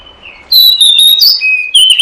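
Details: Lure sound of the oriental magpie-robin for catching birds: one soft whistle, then an unbroken loud run of clear whistled notes that step down in pitch and end on a bright rising note.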